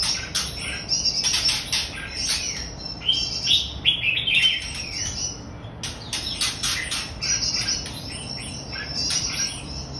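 Red-whiskered bulbul giving dense, bright chirps and short bubbly whistled phrases, overlapping almost without pause. Other birds may be calling along.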